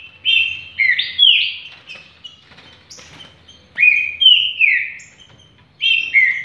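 Green-winged saltator singing loud, rich whistled phrases that slur up and down, delivered in three bursts a couple of seconds apart, with quiet pauses between.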